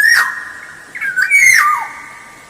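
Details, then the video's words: Black-naped oriole in lively song, used as a lure recording: a sustained clear whistle followed by rolling, liquid whistled notes that drop in pitch, mixed with two short harsh rasping bursts. "Suara Pancingan Kepodang Emas Gacor"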